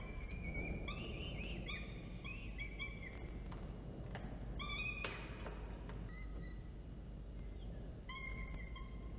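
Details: Peregrine falcon nest at Orange, New South Wales, Australia, 24 October 2022, during a food delivery and feeding: drawn-out, wailing, slightly rising calls with harmonics, repeated in a loose series over a steady low rumbling hum.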